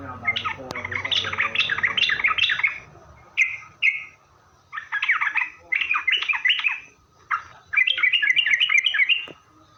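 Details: Lure recording of a yellow-vented bulbul singing to provoke other bulbuls into answering: loud, chattering bursts of bubbly notes repeated in phrases separated by short pauses.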